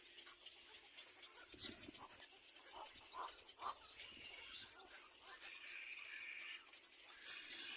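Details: Little black cormorant attacking its young, giving brief grunting and squealing bursts spaced irregularly, a sharp click near the end, with a constant high background hiss.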